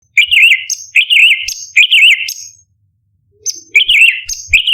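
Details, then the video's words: Orange-bellied leafbird (cucak cungkok) singing a 'tembakan' style song used as a master recording for competition birds: three quick phrases, each a sharp high note then a rapid warbled trill, a silent pause, then three more, with faint low thumps. "Cucak Cungkok Istimewa ~ Tembakan Istimewa Masteran Burung Lomba - Orange Beliied Leafbird"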